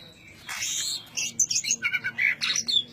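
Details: Greater green leafbird in dense ngentrok song: a harsh, buzzy high burst, then a rapid series of about eight short chirped and twittered notes in quick succession.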